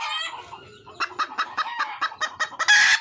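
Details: Wild junglefowl hen calling to find a male: evenly spaced clucks about five per second, ending in a loud harsh squawk.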